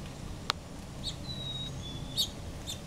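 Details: Pure two-note chickadee whistle, the first note held and the second pitched slightly lower, among short soft chirps and a sharp click near the start. Low background rumble is present.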